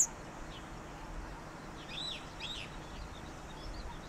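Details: Yellow bunting recorded in Pingtung County, Taiwan, 16 November 2019: a pair of thin, high, quick call notes half a second apart, with faint further chips and constant low ambient noise.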